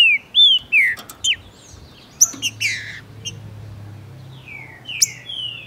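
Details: Male Green-winged saltator, Brazil, excited by a female during breeding and tournament season, singing to prompt another bird: a few quick slurred whistles, a short pause with clicks, then three more drawn-out falling whistles.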